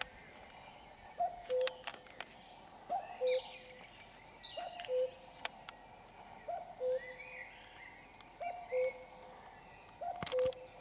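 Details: In the dark at 5 a.m. on a Sunday, a common cuckoo repeats its descending cu-coo seven times, roughly every 1.6 seconds, accompanied by sharp clicks and warbling of other birds.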